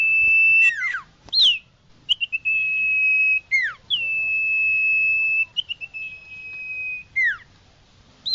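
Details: Long level whistles, each closed with a steep falling slur and brief chirps, repeated several times by an iora.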